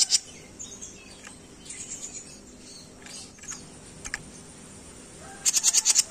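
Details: Jenggot bird on a songbird training recording: sparse faint high chirps, then a quick bright trill of about six sharp high notes near the end, over a soft steady hiss.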